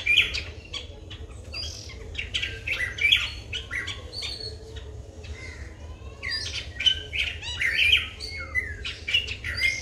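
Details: Sri Lanka's White-bellied drongo, filmed with a Nikon COOLPIX P1000, giving a varied mix of squawky notes, sharp chirps and whistled slurs in irregular bursts, with a quieter spell midway and soft background rumble.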